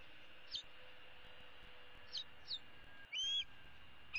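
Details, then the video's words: Female bald eagle eaglet from 2016, perched in a tree on 15 April 2016, begging her parents for food: a few short high chips, then one longer whistled squeal near the end, with faint background hiss. "E7 dangles her right leg and calls for her parents to bring her some food."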